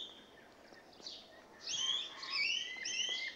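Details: Rainbow lorikeets settling into a new spot and carrying on: a quiet start with faint chatter, then a loud run of shrill, rasping screeches in quick succession.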